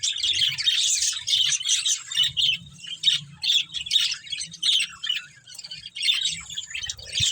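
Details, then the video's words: Budgerigars, a breeding pair kept as pets: rapid warbling chatter of bright chirps and squeaky notes in bursts, nearly continuous, with faint low thumps in the background. "Beautiful Budgies Chirping Sounds | Love Birds Breeding Pair"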